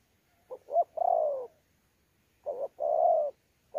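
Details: Local wild-caught spotted dove from Sa Thầy, Kon Tum, Vietnam, 26 November 2019, cooing in pha đấu style with gù: two phrases of quick short notes then a long mellow coo, with a new phrase starting at the end.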